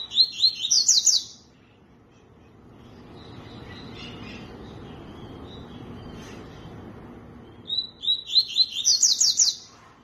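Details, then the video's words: Two bursts of tui-tui song separated by several seconds of quiet background noise, each a fast series of sharp whistled notes stepping upward in pitch into a bright trill. "CANTO TUI TUI"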